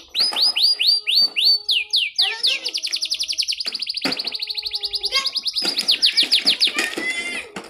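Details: Canary, listed as a Belgian canary but described as a Yorkshire canary, singing a fast, high run of bright chirps and rapid trills; a lively, persistent singer.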